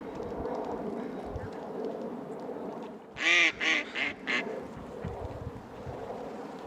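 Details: Crow giving what may be a sneeze, or a light chirp or snort, as a quick series of four short nasal bursts over steady background rumble.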